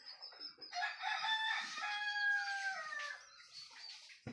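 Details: Rooster crowing at dawn as a sign that morning has arrived: one long, strong crow lasting about two and a half seconds that holds steady and then slides down at the end, with small birds twittering softly behind it.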